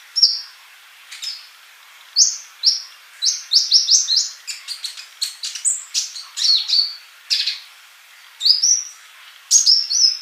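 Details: High sunbird song from tutor material meant to make birds sing freely: sharp chirps and quick down-slurred whistles tumble in dense clusters, some phrases packed with rapid notes, others separated by short gaps.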